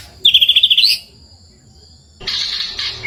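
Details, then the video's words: Forest white-rumped shama singing as a lure for birds: a quick burst of about eight loud high chattering notes, a short silence, then a dense scratchy twittering phrase. "GACORR MURAI BATU BIKIN EMOSI | isian suara murai gacor pancingan suara burung"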